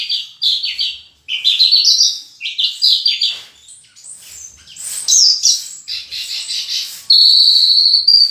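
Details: Horsfield's bush lark, locally branjangan, singing vigorously in the full isian style: a rapid, varied run of high, chirping and rising whistled phrases, shifting between slurred notes and a short sustained buzzy ending.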